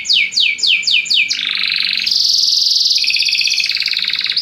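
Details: Belgian canary song, offered to stimulate other birds: five quick descending whistled notes, then long sustained rolling trills that shift pitch in steps, loud and continuous.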